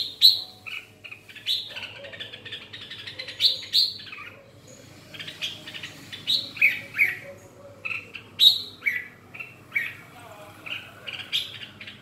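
A red-whiskered bulbul gives bright, bubbly warbled phrases in quick bursts every second or so, mid to high pitched, over a faint background hum.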